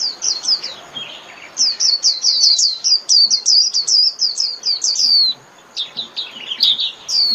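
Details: Japanese white-eye calling its flock with fast, high twittering, strings of thin downslurred notes run together into a lively warble, a short break, then more sharp high chirps.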